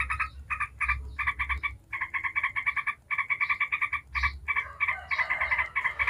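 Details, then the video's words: Yellow-vented bulbul delivering continuous ngebren chatter to draw responses from other bulbuls: long strings of rapid, buzzy notes broken by brief pauses, steady and insistent, over a soft low rumble. "Trucuk ngebren bikin ribut trucuk manapun dijamin langsung nyaut ribut"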